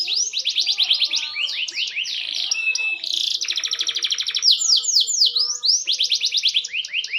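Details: A green canary, maturing and improving its song, pours out continuous varied warbling: quick trills of high rising slurs, a buzzy rattling section, then bright rolling phrases, nonstop throughout.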